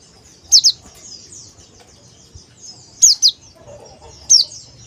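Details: Calls of a male Oriental white-eye, known locally as pleci: loud doubled high downslurred chirps spaced about two to three seconds apart over a bed of softer twittering notes.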